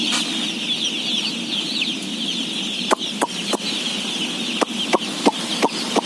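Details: About 17,000 day-old chicks during feeding, a dense, continuous high peeping chorus from the whole flock, with sharp knocks and clicks breaking through every second or so.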